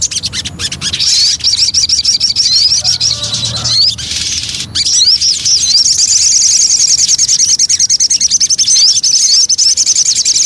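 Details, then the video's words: Javan cochoa lure song: high, looping upswept whistles that run into an extended, rapid, evenly repeated trill, with a short pause midway. "Pancingan Burung Sogon"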